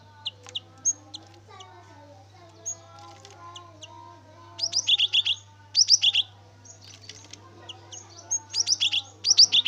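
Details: Cinereous tit (gelatik batu) lure song: faint chirps and background sounds at first, then loud high two-note phrases delivered in quick clusters in the second half, over a constant low hum.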